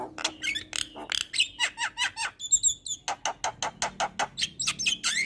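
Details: Javan myna training song meant to get lazy birds singing, a steady run of loud clipped chirps repeated several times a second, broken by a short high tinkling phrase.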